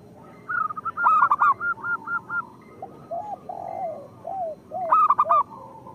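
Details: Local zebra doves sing in a lure recording meant to stir other doves into song. A loud, ringing, stuttering burst runs into a string of quick even coos, then slurred lower coos and another bright burst.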